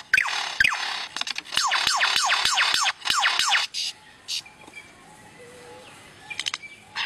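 A lyrebird gives a fast series of loud, falling, laser-like whistles, about three per second, then quieter scattered clicks and chips.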